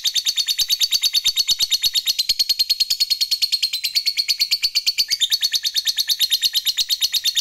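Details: Long ngekek chatter from a fighter lovebird, used to stir up rival birds: a continuous, shrill, buzzy rattle pulsing around six to seven times per second for the whole stretch, stepping briefly higher in pitch late on.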